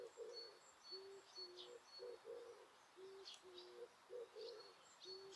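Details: Osaka Castle Park birdlife, Japan, on a deserted day, noise-reduced recording; a steady series of low, mellow cooing notes roughly twice a second, overlaid by thin high whistled notes.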